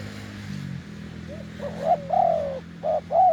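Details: Deep-voiced wild spotted dove lured to a decoy on a branch opens with soft notes, then delivers loud mellow coos: a sustained falling coo, a short hoot and another long coo.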